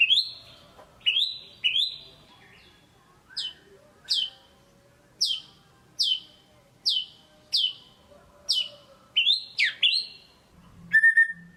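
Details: White-rumped shama kept as a cage bird, lure song to prompt a reluctant singer: spaced sharp downslurred whistles, roughly one each second, then a burst of complex twisting notes and a final low phrase.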